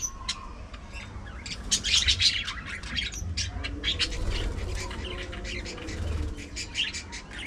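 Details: Budgerigars at afternoon feeding time, a flock giving a dense stream of sharp chirps and squawks that overlap continuously, over a low rumbling background.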